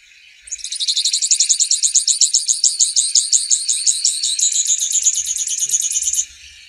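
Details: Grassland yellow finch (Sicalis luteola) singing a long, rapid trill of buzzy, high-pitched notes, about three per second, held steadily for nearly six seconds with a slight rise in pitch toward the end.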